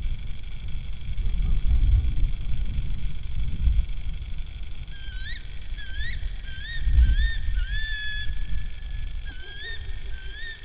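Tawny owl giving sharp, whistled notes that swoop up and down, several in quick succession through the latter half, over a steady low rumble of wind.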